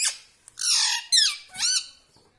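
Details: Pet parrot that talks, saying mummy, papa and radhe radhe; three loud, harsh, raspy squawks with bending upper tones, each under half a second, in a quiet room-like setting.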